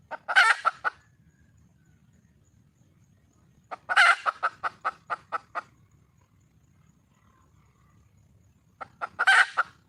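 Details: Calling for a mate, a wild junglefowl hen gives three separate bouts about four seconds apart, each a loud rasping cackle trailing into quick descending clucks, with near silence between bouts.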